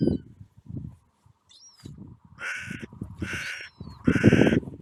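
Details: Carrion crows on a clifftop, fed nuts thrown one or two at a time while seagulls compete: three harsh, raspy caws about a second apart, with low wind rumble and a faint thin gull whistle.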